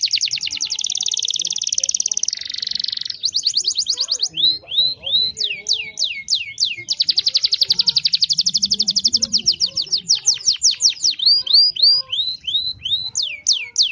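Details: Caged canary from Pemalang, Central Java, Indonesia, singing a long competition-style song: rapid buzzy high trills alternating with series of sharp rising and falling whistled sweeps, repeated many times per second, with faint voices beneath.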